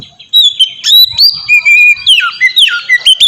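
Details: Oriental magpie-robin giving ngeplong song as a lure for other magpie-robins: long held whistles at two pitches, then quick downward-slurred notes and short chips.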